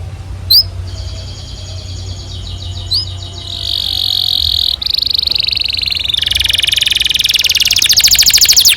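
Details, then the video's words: Canary singing a long, lively song offered as a tutor recording for young canaries: scattered high chirps first, then sustained buzzy rolls and fast high trills building steadily in loudness toward the end. "PANCINGAN Kenari GACOR PANJANG Cuit CUIT EMOSI ini AMPUH utk MASTERAN Kenari PAUD belajar BUNYI"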